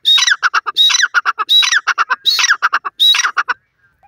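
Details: Black francolin, known locally as teetar, giving five rasping phrases, each a harsh drawn note followed by a rattle of four or five short sharp notes, ending in silence.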